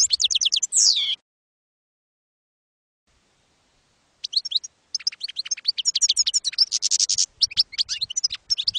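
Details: European goldfinch in campero style on a 2022/2023 tutoring CD for young goldfinches; a short trill and a descending slur, a pause of about three seconds, then a long series of rapid, high, tinkling and buzzy notes.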